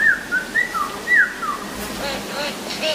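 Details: A wild male Superb Lyrebird in the cool temperate rainforest of the Dandenong Ranges gives clear, sliding whistles that rise and fall, then mimics human speech as a garbled, human-sounding babble like muffled speech.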